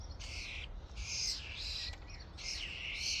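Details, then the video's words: Three long, screeching, rasping bursts with whistled edges from a flock of common starlings at a feeding station, over a low background rumble. "Starlings invasion at the feeding station | Staren Invasion an der Futterstation"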